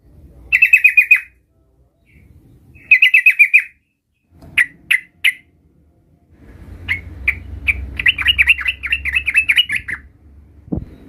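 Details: Lively sooty-headed bulbul learning to roll its song, used to prompt young birds to reply; short bursts of quick chattering notes, three isolated chips, then a longer rippling trill of repeated buzzy notes, ending in a soft click.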